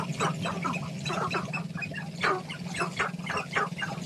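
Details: Male sharp-tailed grouse dancing to attract a mate in Northern Colorado, giving quick, overlapping clucks and cackles, several each second, over a steady low hum.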